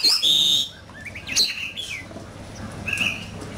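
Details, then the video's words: Oriental magpie-robin in fierce fighting-style song: a few loud, clear whistled notes open the passage, followed by softer, scattered chirps and a faint high phrase near the end. "Chòe Than,Bộ Đẹp,Hót Đấu Căng Lửa."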